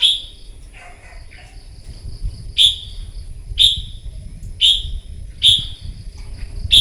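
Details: Wild-caught red-whiskered bulbul in morning singing contest: after a soft warble, sharp bright whistled notes ring out roughly once a second, five in a row, over a constant high-pitched whine and low background hum.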